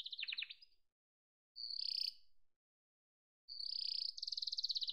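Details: Yellow domestic canary giving brief song phrases separated by pauses: descending sweeps, a buzzy whistle, then a high rapid trill.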